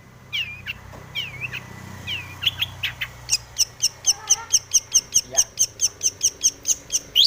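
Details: Long-tailed shrike in breeding condition, a lure for other shrikes: a few slurred whistled notes, then a steady fast run of high dry ticks, a little over two per second. Faint lower chirps sit underneath.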